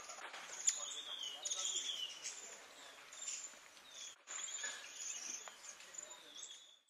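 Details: Green-backed tit (Parus monticolus) at Pangot, India, in November 2023 gives thin, high, sibilant call notes and short whistled phrases, fairly faint, over a hissy background with some insect-like buzzing.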